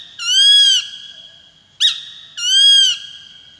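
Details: A peregrine falcon (Falco peregrinus) gives two long, harsh, high wailing calls about two seconds apart, with a short sharp note between them.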